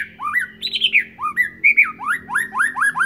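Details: Young white-rumped shama from Sabang practising its song, with a quick series of rising, slurred whistles and a few longer wavering notes, close and clear indoors.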